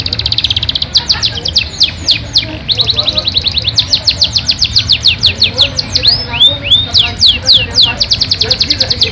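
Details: Yorkshire canary singing a long-duration, richly varied song: rapid runs of high, sharp repeated notes, fast descending sweeps and a few slurred whistles, delivered in trills of around three notes per second with brief pauses.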